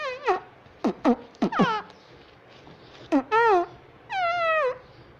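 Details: Indoor pet parrot chattering nonstop and saying "mummy": several loud harmonic syllables, mostly falling in pitch, come in quick pairs and then two longer drawn-out wavering notes, over a low household hum.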